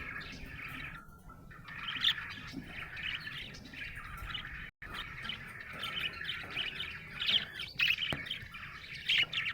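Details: Happy budgerigar giving a steady buzzy warble mixed with bright chirps, louder squeaks toward the end, one brief gap of silence midway.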